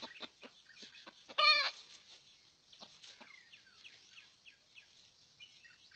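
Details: Wild red junglefowl drawn toward a decoy bird during a luring hunt: one loud, brief, harsh call bursts out near the middle, surrounded by soft scattered chirps from small birds and light rustling.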